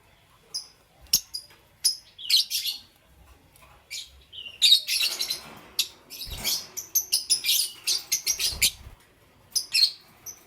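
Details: Lovebirds of green, yellow and lutino colours chirping in the morning: shrill, rapid high-pitched chirps and squeaky notes in irregular bursts, dense chattering stretches between short pauses.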